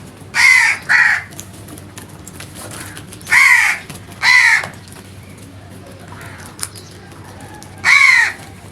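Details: Crow calling loudly in natural surroundings: harsh, hoarse caws, a quick pair near the start, then two more around three to four seconds and a final one at eight seconds, with quiet background between.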